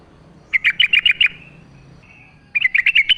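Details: Yellow-vented bulbul, a wild bird in full lively song in natural surroundings, used as a lure to get captive bulbuls singing: two bursts of rapid, bubbling chattering notes, the first about eight notes, separated by a thin faint whistle.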